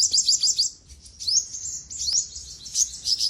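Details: Olive-backed sunbird (sogok ontong) singing for bird training: a short run of high, quick notes, followed by several thin rising slurs and twitters.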